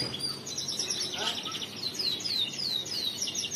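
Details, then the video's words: Male crested canary delivering riwikan song: a fast, high, unbroken series of downward-sweeping whistled notes and twittering trills, about three per second, with faint low background hum. "Kenari Jambul Riwikan Jantan"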